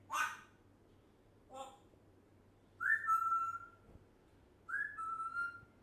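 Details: Pet African grey parrot, one year old, that talks non-stop: two noisy bursts, then two whistles that start slightly higher and settle into long level tones, indoors.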